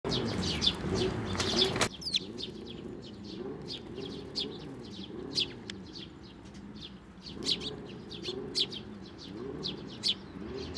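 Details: Sparrows at a Tenmangu shrine on 18 May 2024, coming to the hand for food while feeding nestlings. Short, high chirps repeat irregularly over low, rolling pigeon-like cooing and a brief burst of noise at the start.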